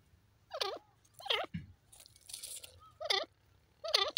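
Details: Young grey francolin uttering squeaky wavering chirps, one roughly every three-quarters of a second, with a soft crunching noise in the pause midway.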